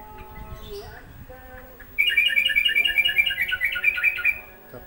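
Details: A wild Yellow-vented Bulbul, arriving unexpectedly during the afternoon (asr) call to prayer, pours out a fast, bubbly run of chattering notes for about two seconds, after the chanted prayer call drifts in the background.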